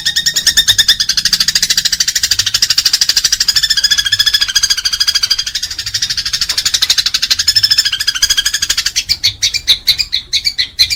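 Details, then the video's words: Fighting house sparrows, used for training pet birds; a dense, rapid rattling chatter of harsh chirps runs almost without pause, then breaks into separate louder chirps near the end. "Gereja tarung super cocok untuk masteran burung kesayangan anda"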